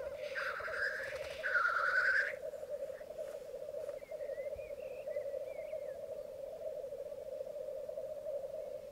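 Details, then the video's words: Morning lek of black grouse on a Mykland bog in May 2022, with twelve males and two females: one long rasping hiss opens, then the continuous low bubbling of many cocks carries on beneath faint thin calls. "Orreleik i Mykland, mai 2022"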